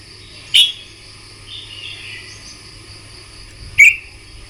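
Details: Red-whiskered bulbul singing in the morning, used to train and fire up birds for singing contests; two short, bright whistled phrases about three seconds apart, the first with a quick rising twist, over a low steady hum.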